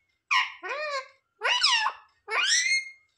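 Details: Pet parrot that talks, mimicking "mummy papa" in a small room; three rough, voice-like phrases with swooping, upward-bending tones, each about half a second long, evenly spaced.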